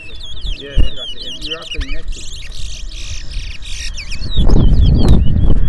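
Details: Twa-twa finch in a Berbice song race between two birds, the song counted aloud; a busy run of sharp whistled and buzzy notes for about four seconds, with men's voices, then loud rumbling handling noise.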